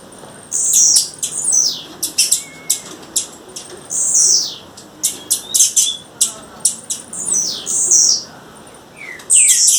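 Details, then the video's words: Wild female blue-black grassquit giving a long run of short, high, sharp buzzy notes and downward-sweeping chips. The notes come in irregular clusters, with a faint lower whistle early on. "Tiziu fêmea, fêmea de tiziu chamando na natureza"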